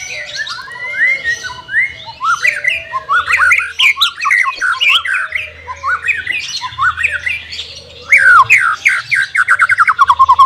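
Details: Caged white-rumped shama in training as a bird reluctant to sing: rich, varied song of rapid whistled and buzzy phrases, rising and falling, ending in a fast run of repeated notes, with a low hum beneath.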